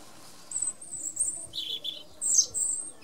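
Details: European robin song phrase: high thin drawn-out whistles, then lower warbled twittering notes and a bright rising flourish, with soft low background rumble.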